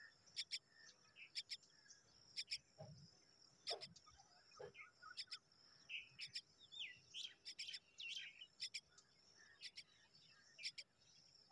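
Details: Myna nestlings begging while they wait for their mother, giving sharp high chirps in short bursts of two or three notes, spaced irregularly across the recording, with faint twittering and low background noise between.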